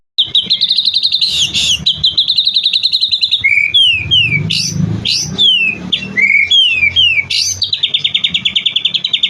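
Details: White-rumped shama delivering a long burst of song packed with varied material: sustained buzzy trills at the start and end, with a middle run of repeated sharp downslurred whistles and rapid chips in between.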